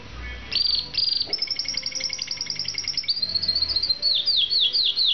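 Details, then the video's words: A canary sings a bright, high rolling song: quick trills and buzzy tours, then a run of sliding whistled notes repeated about every third of a second. "kanarini song"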